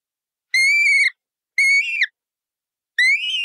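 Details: Colourful parrot giving three raspy, level squawks, the second bending sharply downward at its close and the last rising in pitch, with quiet gaps between.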